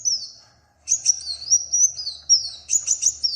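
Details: Brief high twittering from a small brightly coloured songbird: a short thin note, a pause, then a quick run of rising and falling whistled phrases.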